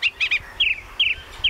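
Mistle Thrush song: short, clear fluted phrases, high and slightly slurred, following one another quickly with brief pauses between them.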